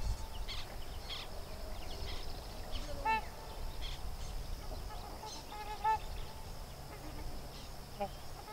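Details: Sandhill crane family, a colt with its parents, along Sherburne Wildlife Drive: three clear, ringing, honk-like calls spaced a few seconds apart, with a soft lower note and faint scattered chirps over a rumbling low background.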